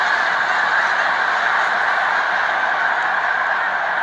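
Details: A close, loud roar of countless Snow Geese gathered at Cayuga Lake, New York, on 20 March 2021 during their spring migration stopover. Thousands of honks merge into one continuous, even chorus.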